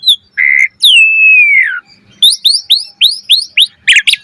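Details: Asian pied starling in a 'mompa' full-variation song: a flat whistled note, a long gently falling whistle, then a fast series of about eight rising chirps and two loud harsh notes.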